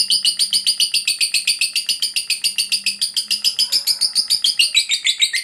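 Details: Fighter lovebird giving ngekek, a long, unbroken chatter meant to provoke other lovebirds into answering: fast, even, shrill chirps repeated roughly three to four times per second throughout, with a faint low hum beneath.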